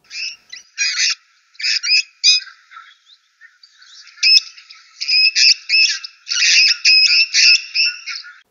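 Grey-headed Parrot giving harsh, screeching squawks in irregular bursts, some clipped and some drawn out, high and grating with a shrill edge.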